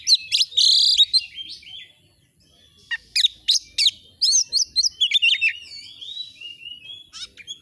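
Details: Oriental magpie-robin singing vigorously, with a buzzy chattering burst, a brief pause, then rapid sharp chips and twisting whistled notes repeated at a fast pace.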